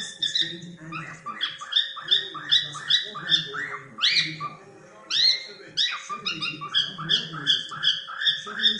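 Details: Cockatiel at play, chattering in quick bursts of bright, harmonic chirps about two or three per second, with a few louder rising shrieks and a brief pause midway, over a soft low rumble and constant hum.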